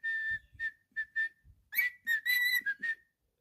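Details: A pet cockatiel whistles a string of short, level notes followed by a brighter, louder burst of rich whistles before falling silent; soft low thuds underneath.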